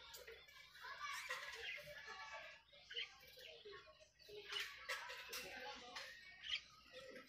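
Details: Baby parakeets at night keep up a busy, scratchy chatter of squeaks and short chirps with no steady rhythm, a few sharper notes rising above the murmur.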